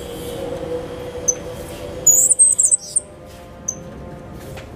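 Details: Cuban grassquit, a young bird five months old hatched in 2022, singing a loud, clear song of the silva australiano style with a particular trill learned from a tutor bird. Very high, thin notes cluster in a quick sparkling burst, with a few isolated high pips before and after, over steady low hum.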